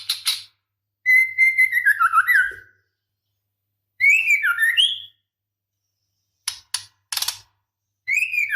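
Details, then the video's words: Calling female white-rumped shama in breeding condition, summoning the male: long wavering whistled phrases that slide downward, a brighter twisting phrase, quick clicks, then a new whistle. "Suara Murai Betina Gacor Memanggil Jantan"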